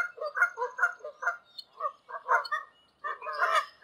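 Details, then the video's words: Wild Canada geese calling in flight high above open country in Canada: honking notes in uneven bursts, several birds overlapping, with short gaps between phrases. "Canada goose sounds in large space somewhere in Canada. Wild goose call in flight."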